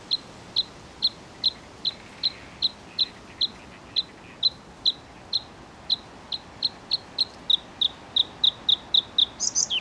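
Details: Bluethroat singing a long, even run of sharp, high, ticking notes about twice a second that gradually quickens, breaking at the end into a squeaky, jumbled flourish.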